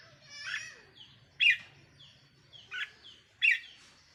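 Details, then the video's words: Decoy red-whiskered bulbul kept in a cage, 4 May 2023, giving sharp bright chirped phrases about once a second, alternating with softer downward-sliding whistles over a faint low hum. "เสียงนกต่อ นกกรงหัวจุกแก้มแดง"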